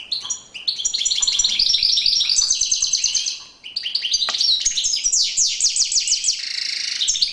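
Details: European goldfinch in courtship display, pouring out a long, continuous, fast twittering song of bright, high, jangling notes, with only one brief dip in the middle.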